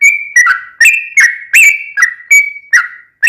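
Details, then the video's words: Sooty-headed bulbul in long, rapid 'ropel panjang' gacor song, used as a lure so another bird answers: short bright whistled notes with sharp onsets, alternating slightly higher and lower phrases roughly every half second, on a clean background. "KICAU SUARA trucukan gacor ROPEL PANJANG pancingan trucukan agar bunyi MENJADIKAN trucuk gacor NYAUT"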